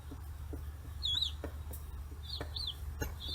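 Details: Forty-day-old free-range chicks around fish heads in Kitanohiroshima, Japan; a few scattered high looping peeps, fairly quiet, with soft pecking taps and a low continuous hum.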